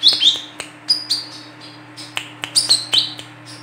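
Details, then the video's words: Female olive-backed sunbird, recorded as a lure for birds: sharp high chirps and quick downslurred tweets, repeated in close succession, over a constant low hum. "WICEH BETINA GACOR COCOK UNTUK PANCINGAN KOLIBRI KELAPA"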